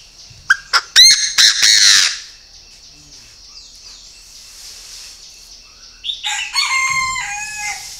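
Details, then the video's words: Purebred captive Chinese francolin, Ba Vì, Hanoi, Vietnam: sharp clicks and a rasping burst open the recording, then after a quiet pause comes a loud, grating, harmonic call lasting about two seconds. "CHIM ĐA ĐA THUẦN CHỦNG GÁY"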